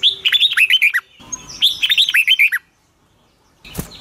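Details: Caged red-whiskered bulbul trained to sing in the morning, with a long twisting double-voiced song; two bursts of rapid bright whistled notes, sliding and warbling, each about a second long, then silence and a brief clatter.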